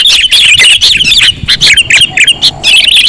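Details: Sooty-headed bulbul lure calls: rapid bursts of bright chirps and warbled notes, about four per second, broken by a brief lull before the chatter resumes.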